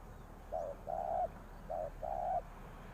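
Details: Lure spotted dove calling from a ground trapping site: two brief phrases, each a short low coo followed by a longer burry hoot, separated by a pause, over faint background hiss.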